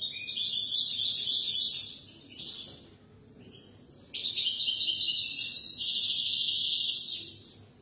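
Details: Tutor song of a European goldfinch for young birds: two long phrases of rapid, high, tinkling twitters and nasal buzzes, separated by a brief pause with a soft note, the second phrase richer and more varied.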